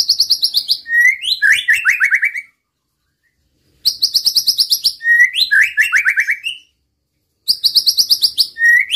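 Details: Repeated phrase from a white-rumped shama, sung to provoke rival males: a rapid shrill trill, then a quick run of downward-slurred whistles, given three times with silent pauses.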